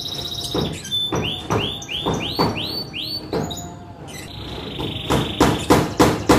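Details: Young canary sings repeated rising swooping whistles, then a buzzy trill, accompanied by sharp regular knocking sounds.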